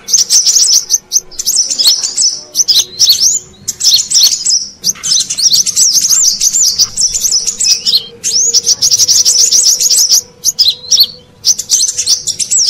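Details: Brown-throated sunbird lure call from Indonesia for attracting wild birds: dense, rapid high chirps and twittering trills in bursts with short pauses, with a faint low steady hum underneath.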